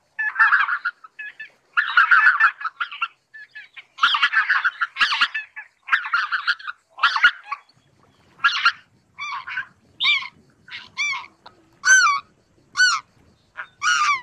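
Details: Greater white-fronted geese in a dense run of overlapping cackles and honks that thins into separate high, sliding yelps repeated about every second toward the end.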